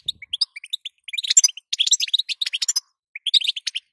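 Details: Female European goldfinch calls that are used to get a male to sing: spaced single chirps build into a long dense twitter, pause, then one last short burst of chirping.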